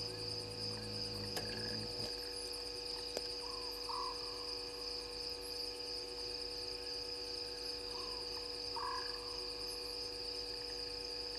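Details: Short purring trill of a Scops owl at 00:16 at a waterhole on Djuma Game Reserve, Sabi Sand, South Africa, given twice about five seconds apart over a loud continuous chirring insect chorus, a brief low hum and a couple of clicks near the start.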